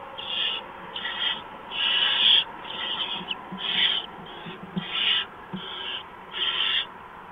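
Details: Barn owls at the nest before dawn in March as prey, a mouse, is delivered; rasping hissed screeches of uneven length, eight or so bursts with faint scratching and shuffling between them.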